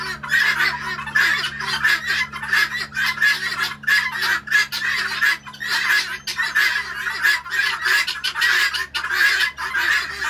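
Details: Flock of roughly twenty guineafowl stopping by in Lovettsville in the morning, keeping up rapid, rasping cackles that overlap into a continuous clamour, with a constant low background hum.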